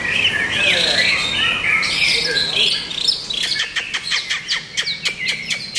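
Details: A white-rumped shama sings loud, fluid whistled phrases that slide up and down, then breaks into a fast run of sharp, repeated clicking notes, nearly three per second, with faint voices behind.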